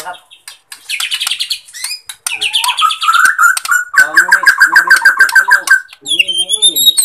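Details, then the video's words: White-rumped shama (Bornean murai batu) pours out a rich, varied song of clear whistles, fast chattering trills and rising high notes, phrase after phrase with hardly a pause; used as a lure to rouse shamas that lack drive or have stopped singing. "Pancingan Murai Kurang Emosi"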